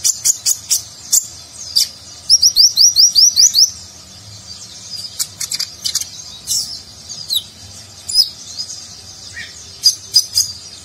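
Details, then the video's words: Sunbird known as konin, singing a nagen-style fill for training contest birds: fast high chips, then a quick series of about eight rising slurred notes, followed by varied tweets and trills. "Konin Gacor Isian Mewah Gaya Nagen"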